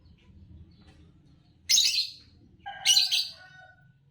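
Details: Fischer's lovebird of the green color, a champion songbird of the kind that wins Indonesian bird song competitions, makes two harsh, scratchy chirp bursts about a second apart, the second followed by a steady whistled tone.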